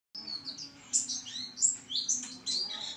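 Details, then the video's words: High, tinkling twitter of a pleci in full voice, a brisk sequence of thin slurred notes and short chirps following one another almost without gaps. "pleci gacor"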